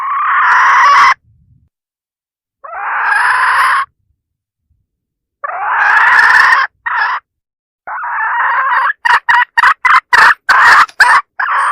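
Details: Rooster-luring call of a decoy hen: long grating drawn-out cries separated by pauses, ending in a rapid burst of short repeated notes.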